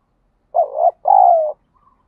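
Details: Spotted dove call used in daily decoy training to spur fighting; a single strong phrase of a short, wavering coo followed by a drawn-out, gently falling coo, with a faint soft note afterward.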